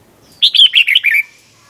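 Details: Red-whiskered bulbul, a Thai cage bird, giving one doubled-style song phrase for training young birds: about six quick warbled, slurred notes that step slightly downward, clean and loud.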